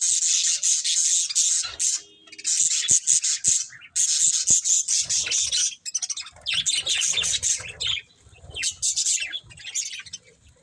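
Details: Budgerigars chirping: dense, scratchy high chatter in rapid bursts with short pauses, broken by a few sharp clicks, a busy flock sound throughout.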